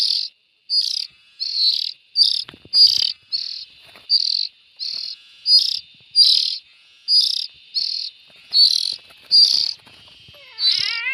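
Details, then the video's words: Young bulbuls giving harsh, raspy hissing bursts, each under half a second, repeated steadily about every 0.7 seconds, with faint clicks and a brief rising whistle near the end. "Tiếng chim chèo non.suab mi nyuam noog siv txaij"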